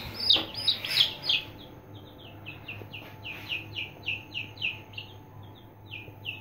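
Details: Aseel chicks, three days old, give a steady run of high descending peeps about three per second, a few louder overlapping cheeps at the start, over a low constant hum.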